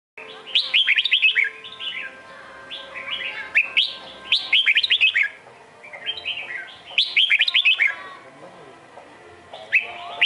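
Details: A Red-whiskered bulbul with a pointed crest and dark bib, at a trapping site, gives bright, bubbly whistled phrases in quick bursts every few seconds, over a faint steady background hum.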